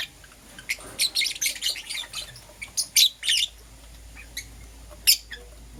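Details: Lovebirds in the morning, one green Personata and one yellow pastel pied, chirping in rapid high shrill runs over about three seconds, then scattered single sharp chirps.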